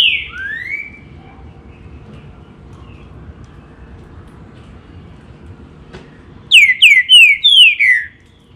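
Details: A green-winged saltator gives a falling whistle and a long slurred note, falls silent for about five seconds, then bursts into a quick run of five loud, downslurred whistles.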